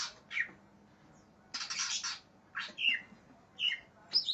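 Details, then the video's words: Agitated greater green leafbird, described as raging and looking for a rival, gives harsh rasping bursts alternating with short sharp whistled slurs and high squeaky notes separated by short pauses. "cak ijo NGAMUK cari LAWAN"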